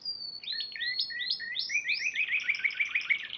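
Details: Contest-winning Spanish Timbrado canary at Piala Raja, March 2014: a thin descending whistle leads into a series of rising swooped notes that quicken into a dense, rolling trill.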